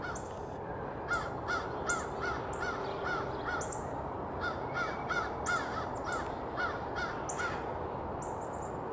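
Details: Aggressive crows attacking a perched red-tailed hawk, calling in two bursts of quick raspy caws, about two to three a second, over a loud continuous background roar.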